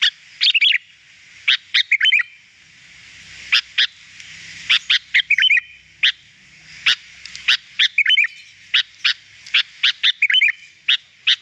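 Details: Sooty-headed bulbul on a recording for training birds to sing: sparse, abrupt clicks and chips with occasional short warbled bursts, irregularly spaced over a soft low hum.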